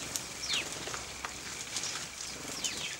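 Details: House sparrows bathing in dust and water at 0 °C on 14 December 2009. Thin, downward-slurred chirps sound now and then over a steady hiss of splashing and fluttering wings.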